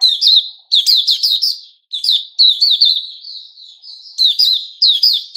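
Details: Loud, varied song of a white-rumped shama of the Puteh Raja type, recorded 29 August 2021, made of quick whistled and chirping phrases repeated in bursts, each ending in softer, wavering high notes.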